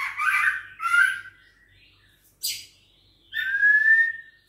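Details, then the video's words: Juvenile White-rumped shama, six weeks old, Bahorok lineage, kept caged and provoked by a rival, gives rough warbling notes, a brief high hiss, then a clear upward-sliding whistle. "Usia 6 Minggu Ditrek Ngelawan💪Trah Murai Bahorok Ori Prestasi"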